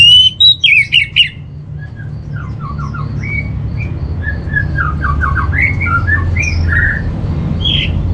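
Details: Orange-headed thrush master song used for training a caged bird. A short loud burst of ringing, slurred whistles opens the clip, then softer scattered chirps and warbled notes continue over a low background rumble.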